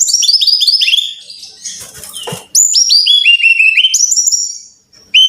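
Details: Song of a Brown-chested jungle flycatcher, used as a lure so caged birds sing more: fast strings of piercing whistles, each note dropping in pitch, broken by a short scratchy rustle in the middle before the cascades resume.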